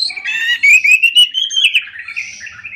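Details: Orange-headed thrush singing in the morning, a rolling continuous phrase of slurred whistles and rapid chattering notes that rises then drifts lower and fades.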